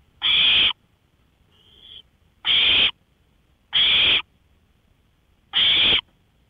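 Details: Owl out on a porch at 1:53 AM on May 5, 2013, giving harsh, breathy hissing screeches about half a second long. Four bursts sound about every 1.5 seconds, with one brief faint hiss between the first two. The night is otherwise quiet.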